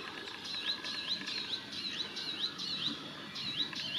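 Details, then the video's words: Male sunbird in Israel giving a warning call, filmed handheld with an FZ80 zoom camera while it was also feeding: short high notes, each sliding up and then down, repeated steadily about twice a second over a faint hiss. "Sunbird male warning call"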